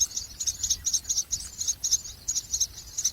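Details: Common myna chicks being fed a lizard by a parent give thin, high, scratchy begging notes in quick bursts, several each second, over a faint low rumble.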